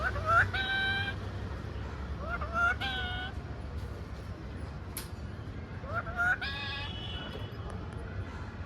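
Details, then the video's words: Pet talking parrot: three bursts of harmonic, speech-like mimicry with sliding whistled onsets near 0.5, 2.7 and 6.3 seconds, separated by quieter gaps over steady low background hum. "#talkingparot #parrot"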